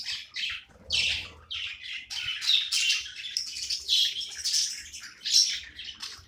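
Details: Playing pet budgerigar chirping in a string of short, buzzy, high notes roughly every half second, gradually building into a denser raspy warble with occasional thin whistled squeaks.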